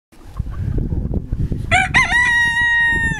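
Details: Pavlovskaya breed rooster crowing on a winter day, November 28, 2015, in Barnaul, Altai, Siberia: a long, loud, harmonically rich cock-a-doodle-doo that starts after a stretch of low rumbling background noise and ends in a held, steady note.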